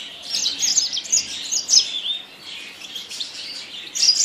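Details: Yasmin bird twitter: high, thin chirps and slurred squeaks in a steady warble, growing louder toward the end.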